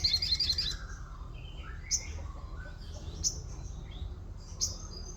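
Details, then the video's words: Orange-spotted bulbul song with 'wit wit' notes like a white-eye: an opening rapid run of high twittering notes, then lone sharp high chirps about every second and a half, with a few softer lower whistles between. "sogon isian wit wit kayak pleci"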